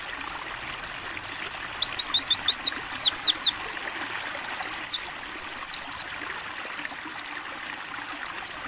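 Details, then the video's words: Mountain white-eye singing in the 'ngalas buka paruh' style for bird training: fast series of sharp, high slurred whistles, each sweeping downward, in phrases of several seconds with gaps, set against a constant running-water background. "AUDIO MASTERAN PLECI NGALAS BUKA PARUH JERNIH + TERAPI AIR"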